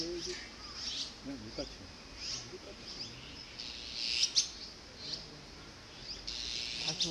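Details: Azure-winged magpie nestlings, about to fledge, give harsh, hissy high begging bursts in uneven clusters, loudest near the end, excited as parents return with food after a long wait; a person talks quietly underneath.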